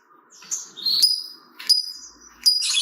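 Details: Lovebird lure recording meant to prompt other lovebirds to sing: three separate shrill, piercing chirps with rough buzzy edges, spaced nearly a second apart, over a faint low hum.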